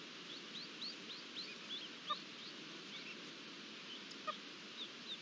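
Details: Partridge with its chicks, ambient field recording from 11 June 2022: a series of thin, high, upslurred peeps repeated about every half second, with a few soft clicks over a steady hiss.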